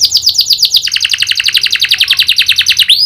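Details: Canary singing hard, with prinia click imitations worked into its song: an unbroken fast rattling trill of rapid repeated notes lasting three seconds, closing with a rising whistle.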